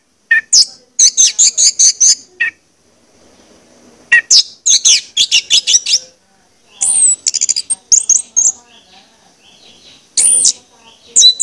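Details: Orange-headed thrush singing, used as a lure recording to make birds sing actively: three bursts of rapid, sharp, varied high notes separated by short silent gaps, some phrases sliding and whistled.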